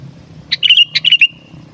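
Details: Kept sooty-headed bulbul in lively gacor song, used as a lure for wild kutilang: a single quick phrase of bubbly chirps sliding into a clear falling whistle, about seven notes in just under a second, over soft low hum.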